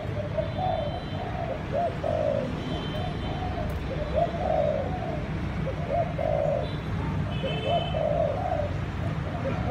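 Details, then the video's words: Thúc gù cooing from a Malai-line dove: a run of soft lead notes and rolling coos, over low background rumble with brief high chirps from another bird. "malai dòng thúc gù bài bản"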